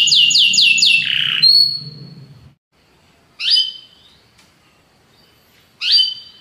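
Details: Belgian canary giving a short fast trill of falling notes, then after a pause two loud separate chirped notes.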